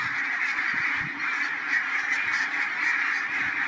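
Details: Large flock of barnacle geese resting at a migration stopover in Matsalu National Park's meadows, Estonia, giving a loud, unbroken wall of overlapping barking calls, with no single bird standing out.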